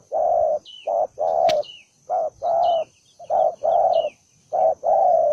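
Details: Aggressive, fighting-minded spotted dove, a lone wild-caught bird, cooing loudly in steady short-long pairs of hoarse low notes, with faint high descending chirps of another bird and one sharp click.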